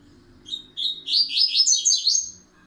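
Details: Double-collared seedeater singing in the pancadão song style, a bird gradually firming up its song: two separate high notes, then a fast, dense run of sharp, twittering notes lasting about one and a half seconds, over a faint low hum.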